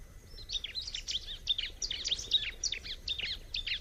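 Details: Wild bar-winged prinia song: a dense, continuous run of rapid, high, scratchy chirps and twitters with barely any pause, over a background of steady environmental noise.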